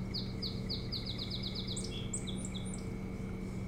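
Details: Osprey call at a camera-watched nest on Hog Island, Maine, 25 July 2018: a quick string of about ten clipped, downward-slurred whistles, followed by several higher, looser chirps, with a constant low mechanical drone underneath.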